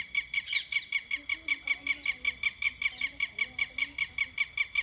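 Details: Bird giving a steady series of shrill, squealing notes, about two to three per second, each a bright harmonic burst, repeated evenly through the clip.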